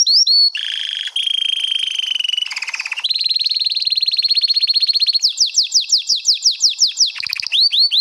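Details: Canary song used for tutoring, a loud continuous sequence of tours: a steady whistled roll, a harsh buzzy burst, a long fast trill, then rhythmic descending sweeping notes repeated about four per second.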